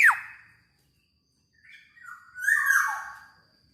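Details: Black-naped oriole, singing very actively: a quick bright downslurred whistle, silence, then a harsher, nasal, wavering phrase that swells and fades.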